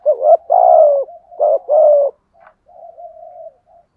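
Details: Spotted dove used as a decoy bird, giving the 'thúc gù' style of cooing: two low, hoarse phrases, each a short note then a longer falling coo, followed by softer, drawn-out murmured coos.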